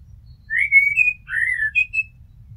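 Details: Mellow whistled blackbird phrase: a rising slurred note, a level flute-like tone, a deeper descending whistle, then two short higher notes; quiet background.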